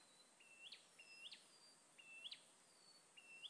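Sooty-headed bulbul gives four short, thin notes, each a level whistle that flicks sharply upward at the end, about one per second, over a faint steady hiss.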